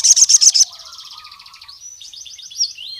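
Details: Crimson sunbird calling rival males. Four quick, loud high chips are followed by a long, soft, buzzy twittering trill.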